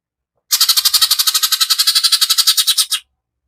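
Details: Harsh rattling burst of a greater green leafbird, the rough 'tembakan' style used as a lure to excite other birds: some twenty dry, buzzy pulses in quick steady succession over about two and a half seconds, then silence.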